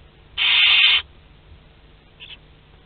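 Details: Barn owl family in a nest box at Théding on 22 August 2021, second brood hatching its second to sixth of ten chicks. One harsh hissing screech lasting over half a second, then a faint brief hiss.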